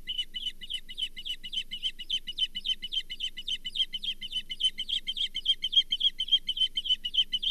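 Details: Osprey at the Charlo nest on 24 April 2023, a brown bullhead being shared; fast, insistent chirping, very regular and growing louder toward the end, over a faint low hum.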